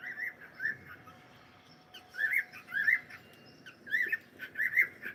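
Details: Pet cockatiel calling in bursts of bright, whistled chirps, each a quick rising-and-falling note, clustered in groups of two or three through the clip with short pauses between, over a faint steady background hum.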